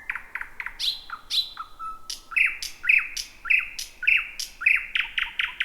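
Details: Thrush nightingale, the first of 2026, singing just before midnight in jungle-like bushes near Roadyfield; clicking notes, a few falling whistles, then loud chock-like notes repeated almost twice per second.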